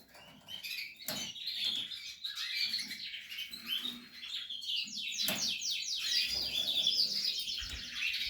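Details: Nesting Portuguese harlequin canary, scattered twitters at first, then a fast rattling trill of many rapidly repeated notes building into loud, sustained warbling.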